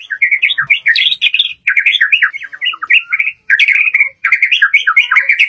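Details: White-rumped shama full-variation lure song: dense, jumbled warbling of quick varied notes in several bursts separated by brief silences.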